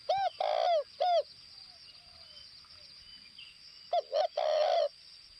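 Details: Spotted dove used as a decoy in northwest Vietnam: two quick phrases of soft hooting coos, each with a longer drawn-out rolling note, over a constant thin high whine.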